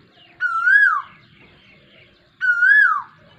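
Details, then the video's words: Asian koel calling in the rainy season on 23 June 2022: two loud, clear, rich whistled notes, each slurring upward then dropping away, about two seconds apart, with faint low background rumble. "koyal ke awaz Barish k mosam min"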